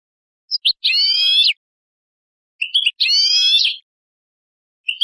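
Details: European goldfinch basic song phrases: short high chips leading into buzzy, harmonic-rich notes held about a second each, two such phrases with quiet gaps between.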